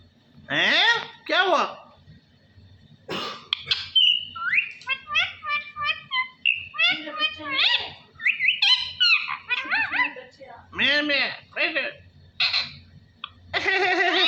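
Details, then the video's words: Talking parrot speaking the phrase Allah Hoo in a long string of high, childlike syllables, some rising and falling, mixed with chirps and a sharp whistle, with brief pauses between bursts indoors. "Parrot Talking ALLAH HOO میاں مٹھو کی باتیں اللہ ھو"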